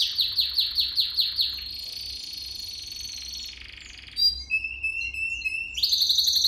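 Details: Young canaries' training song: rapid falling chirps in a row, then a smooth sustained trill fading down, a pause, scattered high notes and a thin steady whistle, ending in a fast bright roll.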